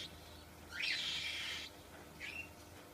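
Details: Single cockatiel call: a rising whistle that swoops up into a long, harsh, level screech, followed by a short, fainter whistled note.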